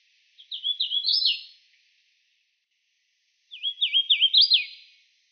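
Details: Two songs from a Hooded Warbler about three seconds apart. Each is a quick run of sweet, slurred whistles climbing to a louder, dropping final note. Clean background, no other birds.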